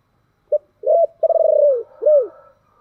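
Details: Low cooing from a spotted dove with a thổ-style voice, calling and urging: a brief opening note, an arched coo, a long pulsed coo sliding downward, then a final arched note.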